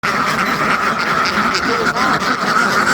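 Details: Hundreds of farmed ducks in one large flock, their quacks overlapping into a dense, unbroken wall of sound with no pauses across the three seconds.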